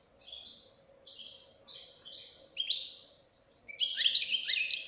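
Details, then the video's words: Young European goldfinch singing soft drawn-out buzzy notes, then a louder burst and a final bright, rapid twittering flourish, with a low background hum throughout. "غناء فرخ طائر الحسون"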